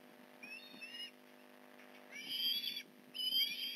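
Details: Osprey at the Port Lincoln nest during a fish delivery on a November 2019 morning: a faint short whistled call, a quiet gap, then two louder, strained, overtone-rich call bursts, with a constant low hum behind.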